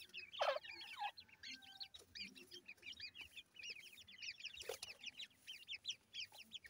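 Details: Grey Francolin chicks feeding give a steady stream of thin, high peeps in quick, overlapping bursts, broken by a couple of louder, harsher notes.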